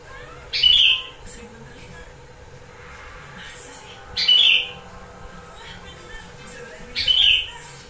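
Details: Gentilang song with starling phrase fillers, used as a lure so birds at home reply: three loud, clear whistled notes spaced about three seconds apart, with soft faint chirps in between.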